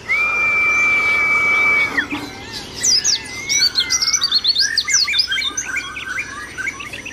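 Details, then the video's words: A white-eye (pleci) sings a lively song used as a master/training recording: a long, steady high whistle, then a rapid jumble of thin, high twittering and chirping notes. "Pleci Gacor"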